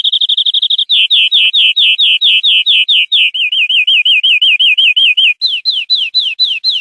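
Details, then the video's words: Captive-training tutor song of a European greenfinch: a rapid rattling burst, then a long sequence of repeated slurred notes that shift into wavering rolls and finally sharper downward swoops, recorded clean without other sounds. "Nuevo CD limpio para educar verderones"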